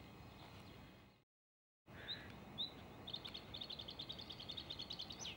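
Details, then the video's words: Male Bluethroat singing after a brief cut of silence: a couple of sharp whistled notes, then a fast rhythmic series of ringing, clicking trill notes building toward the end, over faint low hum. "ВАРАКУШКА( Luscinia svecica - шведский соловей) НА ВОКАЛЬНОЙ ПРОБЕ"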